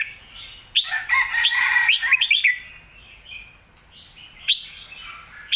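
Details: Excited red-whiskered bulbul singing clearly: a burst of sharp, rising whistled notes, then a sustained warbling phrase, followed by softer scattered notes and a final bright chip.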